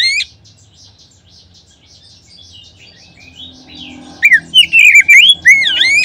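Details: Lure song of an Oriental magpie-robin for stimulating other magpie-robins to sing. Four seconds of quiet, faint chirps over a low hum lead into loud, wavering whistled phrases with steep up-and-down slurs.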